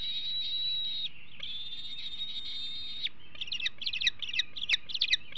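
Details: Bald eagle eaglet showing major food aggression at its Hanover nest, 2021, days before fledging; two drawn-out high whistles, then a rapid burst of sharp chattering notes, roughly two or three per second, over low background noise.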